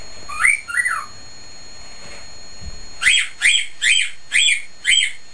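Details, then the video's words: Caged male cockatiel whistling loudly: two rising whistled notes near the start, then five sharp, harsh chirps in quick succession, about two per second, over a faint steady room hum. "Bailee Whistles"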